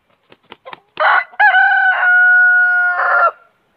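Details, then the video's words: Huge rooster that keeps crowing: a few soft clucks first, then a loud crow with a rough start, a long level sustained middle and a harsher final flourish before silence. "The huge rooster did not stop crowing"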